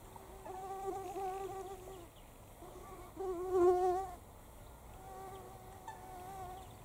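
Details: Mute swan (Cygnus olor) giving drawn-out, nasal, slightly wavering notes, three long calls over a few seconds, the middle one loudest, over a soft background hiss.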